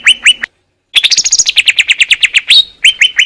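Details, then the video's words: Greater green leafbird recorded in the wild in Indonesia as clear master song: two bright whistles, a short silence, then a rapid burst of high chattering notes tumbling downward before the steady whistles return. "KUMPULAN SUARA MASTERAN CUCAK IJO JERNIH"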